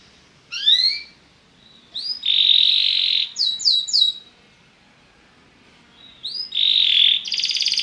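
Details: Belgian canary song meant to liven up other birds: short rising whistles and a sustained buzzy trill, separated by quiet gaps, with a final buzzy roll.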